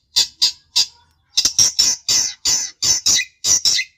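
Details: Long-tailed shrike played to provoke a rival into answering: about a dozen loud, harsh, rasping notes, three spaced apart, then a tighter run of evenly repeated scratchy bursts.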